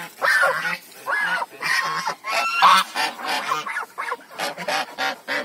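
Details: African geese honking in a noisy, overlapping chorus of coarse, nasal calls, several birds calling at once in uneven bursts about once a second.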